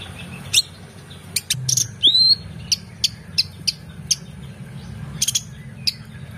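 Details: Oriental magpie-robin in full song, used to train competition birds: scattered crisp clicks and high chips, with one clear rising whistled note mid-phrase, against a constant low droning hum.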